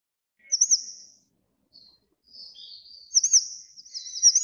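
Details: Grey-chinned minivet: a quick rippling whistle, a quiet spell, then soft sliding notes building into louder wavy high-pitched phrases toward the end.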